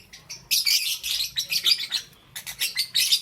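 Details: Green, yellow and lutino lovebirds chatter in the morning: a continuous stream of shrill, harsh chirps in rapid pulses, a short lull, then more rapid shrill notes.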